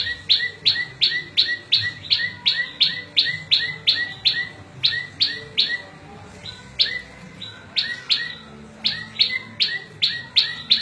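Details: Long bursts of rapid, metallic prinia chips, about three a second, broken by two brief pauses before resuming. The bird is small and sweet-voiced, and the song serves as a tutor for cage birds and a lure for wild ones.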